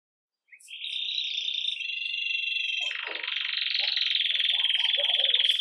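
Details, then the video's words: An agate red mosaic Belgian canary starting the day with its "bell" song: a continuous high, rapid trill shifting into fast rolled, bell-like phrases with lower chattering notes underneath. "Canário Belga Ágata Vermelho Mosaico Canto Campainha"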